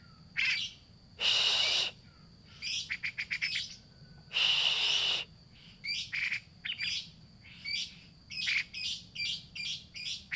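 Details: Grey-cheeked bulbul in a lure recording, played to start a bird that will not sing: long harsh rasps alternating with rapid stuttering chirp series and clipped squawky notes, continuous and loud.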